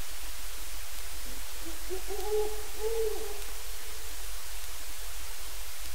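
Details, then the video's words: A wild Great Horned Owl calls in the distance, giving uncommon "wild" hoots and squawks: a short run of low, wavering hoots with faint overtones lasting about two seconds, over a steady low rumble of background noise. "Great Horned Owl Squawks and "Wild" Hoots"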